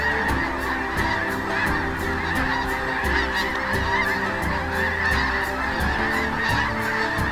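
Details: Sandhill Cranes, a huge migrating flock on the Platte River at Kearney, Nebraska, calling at sunset in spring. They give a continuous, overlapping chorus of rolling, trumpeting bugles over a steady low rumble as thousands gather at this stopover.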